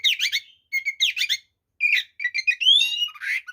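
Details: Oriental magpie-robin in fighting song meant to provoke others: fast repeated bursts of twittering trills, steady paired whistled notes, then long rising and falling whistles, all high and bright with little pause.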